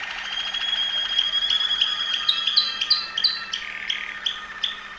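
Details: Song of a Waterslager Malinois canary from Veliko Gradiste, Serbia: a continuous harmonic trill that breaks into rapid clipped notes, repeated about three per second with slight pitch steps.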